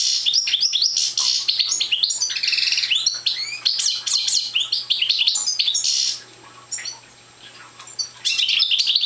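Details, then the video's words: Immature Parva goldfinch, not in full song yet, pours out dense, fast liquid twitters and buzzy trills for several seconds, falls silent briefly, then starts twittering again. "Young Parva Goldfinch singing"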